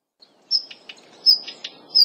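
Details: Female Daurian redstart keeping a territory in a Kobe forest botanical garden, Japan, in early February: three thin, high, drawn-out whistles separated by short ticking clicks, against quiet low hiss.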